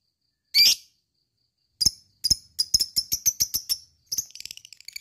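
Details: Lovebird chattering, played to excite other lovebirds into a long trill: one sharp high squeak, then a quick run of about ten clicking chirps at roughly seven per second, ending in softer fast twitters.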